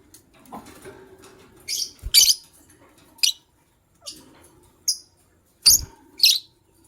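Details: White lovebird couple in the morning calling with sharp, high, squeaky chirps, singly or in quick pairs, spaced irregularly about every second, over a low murmur of background noise.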